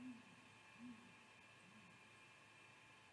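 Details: Male great grey owl at a nest, heard mid-afternoon on 10 February 2020, giving deep "contact" hoots: three soft hoots a little under a second apart, each fainter than the last, over a steady low hum.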